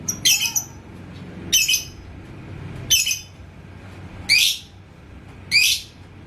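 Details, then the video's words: Indonesian lovebird, labet koneng, singing keenly after a rival's song is played to provoke ngekek. Five strident, squeaky call bursts sound roughly every 1.2 to 1.4 seconds above faint background hum. "si LABET KONENG Burung GACOR ke Pancing NGEKEK"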